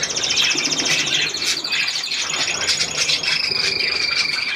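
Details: Budgerigars bathing under a shower on 18 May 2024, giving fast chattering warbles, buzzy trills and a few long, level whistled notes, all high-pitched and unbroken, with steady hissing in the background.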